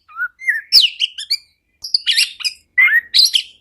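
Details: An Oriental magpie-robin's lure song for sluggish magpie-robins. It opens with low sweet whistles, then moves to sharp high squeaky notes and scratchy phrases in three bursts with brief silences.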